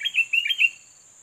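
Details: Quick phrase of four bubbly, warbled whistles from a sooty-headed bulbul that is being drawn in as a fighting rival, clear and close, fading out within a second.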